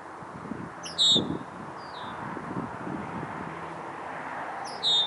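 Red-winged Blackbird alarm call: sharp, high, down-slurred whistled notes, two loud and one faint, about four seconds apart, over a steady wind-like rumble.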